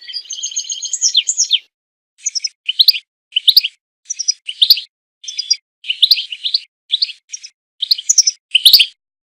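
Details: European goldfinch song, used for mating and for teaching goldfinches to sing. A short warbled trill opens it, followed by a string of brief, separate twittering phrases spaced about half a second apart.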